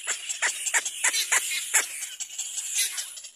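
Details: Little black cormorant baby begging for food from its mother. Around seven quick, raspy, descending cries come close together early, then fade into a hissing background.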